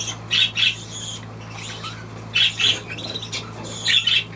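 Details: Budgerigar letting out three separate clusters of scratchy, chirping squawks, spaced about two seconds apart, with quiet gaps between them and a faint low hum throughout.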